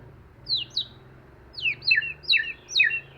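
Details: White-rumped shama, used as a lure bird, singing in forest-style voice: sharp downslurred notes in short pairs and clusters, repeated irregularly, with a low steady hum in the background.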